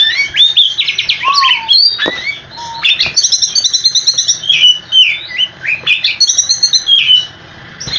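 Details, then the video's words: Oriental magpie-robin singing to get other magpie-robins to answer: quick whistled bursts and trills, a lower drawn-out falling whistle early on, then clear rising notes and chatter, with short pauses between phrases. "Kicau Kacer super ngerolllll abis dijamin kacermu langsung nyaut"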